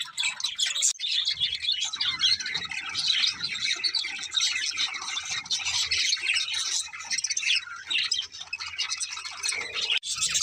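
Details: Several playful, happy budgerigars keep up nonstop busy chatter: overlapping high chirps, squawks and warbling notes, with a faint low hum underneath.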